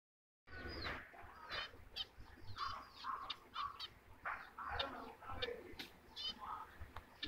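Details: A white zebra finch giving quick, nasal, toy-trumpet beeps in a busy, irregular series.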